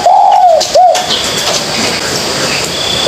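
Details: Spotted dove youngster learning to coo gives one drawn-out arched coo, then a brief second note, followed by mostly steady noisy background with a faint note at the end.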